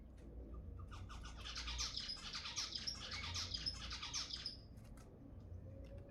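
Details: Zebra finches, presented as sounds to stimulate mating, chattering in a dense, overlapping burst of short nasal, buzzy notes that swells for several seconds and then fades, with a low background hum.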